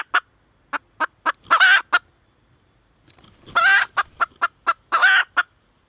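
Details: Female red junglefowl clucking in a steady run of short notes, with two harsh stretched-out squawks and a quiet gap midway.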